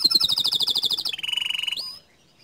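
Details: 'Tembakan' song of a bottle-green canary, a master recording said to provoke other canaries: a very rapid high rattling trill gives way to a lower, even rolling trill, ending in a brief upward flick before silence.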